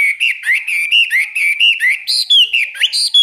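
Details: Caged Chinese hwamei in a morning song-training session, singing loud, clear whistled phrases that slide up and down around a steady pitch. The phrases come in short bursts with brief gaps and climb higher near the end.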